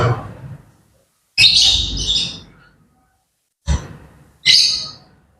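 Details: Grey parrots making morning sounds: three loud, harsh, hissing squawks, each a rasping burst of about half a second, separated by silent pauses of one to two seconds, with a fainter call opening the recording.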